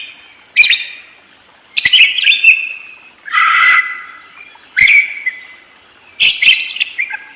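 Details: Budgerigar in lively ngerol song, giving five separate bursts of scratchy chatter about every second and a half, each mixing clicks, buzzy rasps and a few whistled notes.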